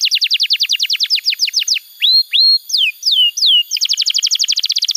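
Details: Singing canary, recorded to teach young birds and prompt quiet ones: rapid falling sweeps, a few slower rising and falling whistles, then another fast run of descending notes.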